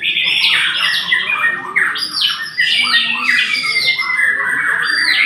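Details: White-rumped shama pouring out loud, harsh, squawky notes mixed with strong whistles, the phrases stacked and repeated with hardly a break.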